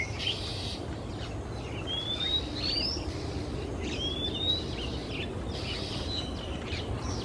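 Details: Male Oriental Magpie-robin singing from perches on a quiet afternoon in Singapore. Two high, rising whistled slurs a couple of seconds apart, faint against steady rushing background noise.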